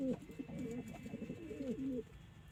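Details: Close domestic pigeon giving a run of deep, rolling, throaty coos, each swelling and dipping in quick succession.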